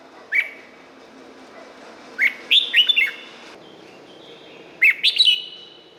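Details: Thai red-whiskered bulbul singing, a recording meant for training or exciting caged birds: a lone upslurred note followed by two chirpy, rolling phrases of bright whistles over a low background hiss.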